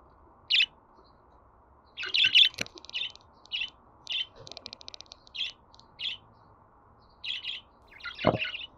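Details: Budgerigar chirps mixed with short scratchy chattering bursts and a brief buzzy trill, closing with a clustered burst and a low knock, over a low steady hum.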